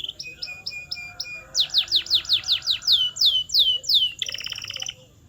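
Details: Canary song used to train canaries to sing: short high whistled notes repeated rapidly, then loud descending swept whistles about four per second, ending in a fast buzzy rolling trill.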